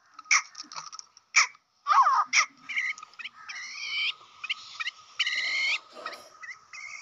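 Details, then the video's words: Grey francolin (teetar) giving loud, harsh, clipped calls in quick bursts, some with ringing, stacked tones, over a steady high whine. "Teetar Ko jaldi bulwani aur Masti Karani Wali Awaz | تیتر کو جلدی بلوانے اور مستی میں لانے والی آواز"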